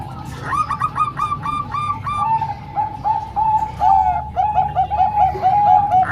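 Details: Song of zebra doves, Bangkok and local types, played to teach young birds: a burst of looping coos followed by a rolling string of clear, bubbly notes repeated without a break, over steady hum.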